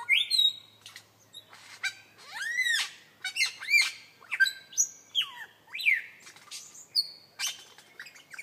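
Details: Mimicking lyrebird with a beatbox style: a loud run of looping, arched whistles and swooping slurred notes mixed with dry clicks, roughly one phrase every half second, varied and rhythmic.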